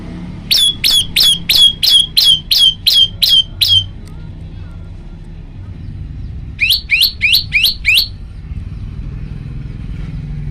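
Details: Male prinia recorded at night on a phone, singing varied song: a rapid run of about nine sharp, high chipping notes, a pause, then five more, over a low rumble of distant traffic.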